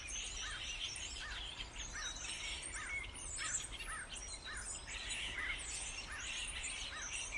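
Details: Busy starling chorus with a steady train of short curved chirps, nearly two per second, overlaid by a dense wash of high squeals, clicks and whistles, over faint low background rumble.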